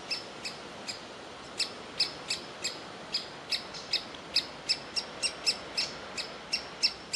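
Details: Begging from a young woodpecker waiting in its tree hole for food, as the parents want it to fledge: crisp, high chipping notes that quicken as they go, about twenty within seven seconds.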